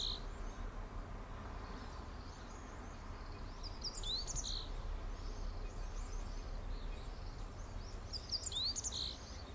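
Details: Meadow bunting, filmed with a Sony camera and 200-600mm lens, gives two brief bright phrases of high, sharp, jumbled chirps about four seconds apart, over constant low rumbling noise and faint twittering from other birds.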